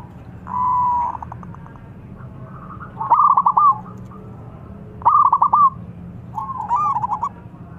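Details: Zebra dove singing a provoking song that makes rival doves answer: one long, steady whistled tone, then three stuttering, bubbling coo phrases spaced about two seconds apart.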